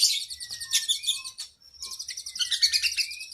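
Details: Oriental magpie-robin (kacer) singing a long, lively training song for cage birds with rich isian phrases: dense high twittering trills and rapid chirps, a pause at mid-clip, then more fast varied notes with brief thin whistles.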